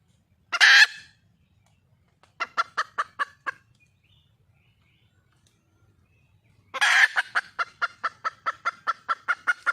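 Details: Red junglefowl hen in the wild calling for a mate gives a loud, harsh squawk, then five short clucks. After a pause comes a second squawk followed by about twelve evenly spaced, steady clucks.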